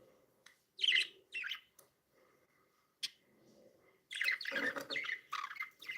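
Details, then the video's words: Happy pet budgies chirping: two short bursts of bright, harmonic chirps near the start, a sharp click midway, then a dense, overlapping stretch of warbling chatter with quick rising and falling notes during the last two seconds. "Happy budgies sound"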